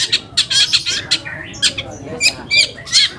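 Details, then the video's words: Long-tailed shrike lure song for drawing replies from other shrikes: short rasping bursts, about three per second, with a few clear whistled slurs between them. "PANCINGAN AMPUH BURUNG CENDET AGAR CEPAT GACOR - cendet manapun langsung nyaut dan emosi"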